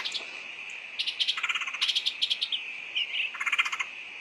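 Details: Woodpecker lure sound: fast, choppy trains of clicking rattled notes in repeated bursts, with a continuous high-pitched hum behind them.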